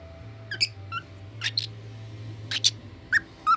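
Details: A pet Lutino red-eye cockatiel, a young male, sings a string of short, bright chirps and whistled notes.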